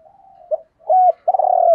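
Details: Spotted dove cooing from male and female birds, used to stimulate doves in training; a low murmur, a sharp short note, a hooked coo and a long loud rolling coo.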